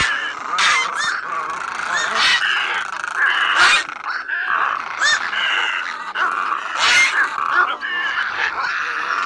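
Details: Flock-calling and fighting recording of black-billed little egrets, used as a night net-trap lure: a dense chorus of harsh, croaking squawks overlapping almost without pause, with sharper rasping notes every second or two.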